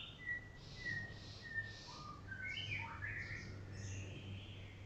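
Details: White-rumped shama, Golden Shama, in melodious morning song while sunning: three evenly spaced level whistles, then a tumbling series of short rising and falling notes and brighter high phrases, with constant low background hum.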